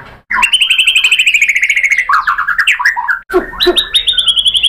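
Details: White-rumped shama song used as a lure to provoke other birds: a fast rattling series of rich notes sliding downward, then varied warbled phrases, a brief break, and ringing high whistles.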